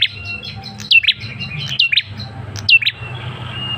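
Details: A male Ashy Tailorbird lure call for eliciting an answer. Three pairs of sharply descending high notes, each pair closed by a quick lower note, with faint thin whistles in the background.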